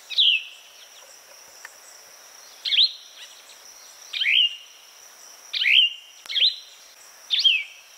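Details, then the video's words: Plumbeous vireo song: short slurred phrases dropping in pitch, each separated by pauses of one to two seconds, with a steady high insect-like whine running throughout. "Plumbeous Vireo Bird Sound, Bird Song"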